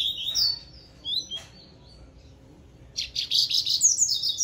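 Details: A seedeater (papa-capim) gives high, thin chirps in the morning, then breaks into a fast, bright twittering phrase, possibly responding to a rival male's challenge.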